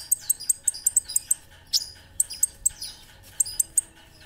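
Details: Olive-backed sunbird (kolibri ninja) in a chatty tutor recording used to train cage birds: sharp, very high chirps repeated in quick bursts, with brief thin trills in between.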